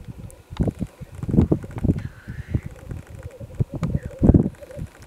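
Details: Very early on a gloomy February 2018 morning in mid-Wales, black grouse give low pulsing bubbling bursts, one hissing sweep in the middle, against a steady background chorus of distant birds.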